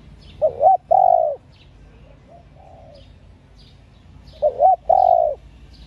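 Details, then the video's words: ['Female spotted dove calling to stimulate male doves, two phrases of quick rising notes ending in a long falling coo about four seconds apart, a soft quieter coo between, and faint chirps from other birds.'] "cu gáy CU MÁI.MÁI KÍCH TRỐNG.Tiếng cu gáy mái kích mồi tập bổi,kích bổi ức chế gáy."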